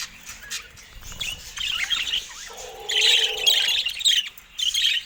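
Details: Caged budgerigars during peaceful moments, pecking at a camera. Soft scratchy twittering swells into a louder burst of warbled chirps, with a lower hum in the middle.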